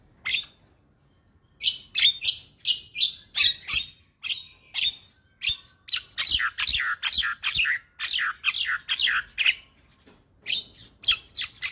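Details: Champion white-eyed black-winged starling in a morning tutoring recording full of fill-in phrases: scattered sharp notes, then a long rapid train of loud buzzy, rasping chirps, about three per second, ending in spaced clicks.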